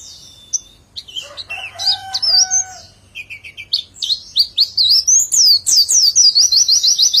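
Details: Mixed high chirps and a lower drawn-out tonal call open the passage. Then the pleci launches into a loud, fast string of zigzagging high notes, the sustained nembak song with ngecer run.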